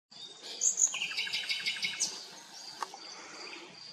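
A fast, bright twittering finch song of high tinkling notes and short trills, about three notes a second, with soft outdoor background noise.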